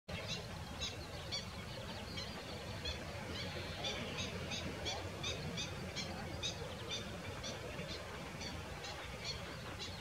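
Common Shelduck giving a run of short, nasal, goose-like notes, about two per second, over a steady rumble of wind or water.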